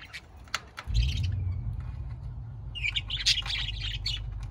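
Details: Budgerigars giving bursts of scratchy, buzzy chirps in the second half, after a few sharp clicks, over a steady low rumble.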